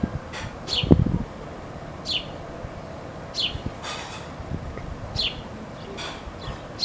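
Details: A baby sparrow chick calling for its mother gives short, high, downslurred chirps, one every one to two seconds, over low thumps and faint rustling.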